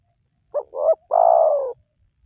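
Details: Spotted dove call, played to lure wild doves to call: a single phrase of two brief rising notes followed by a sustained, gently falling coo, clear against a silent background.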